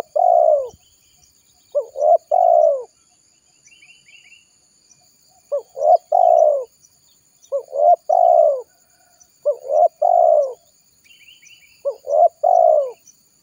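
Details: Spotted dove lure call for trapping, calling wild doves to come: six repeated phrases of quick double coos followed by a long descending coo, with brief high twitters from small birds between.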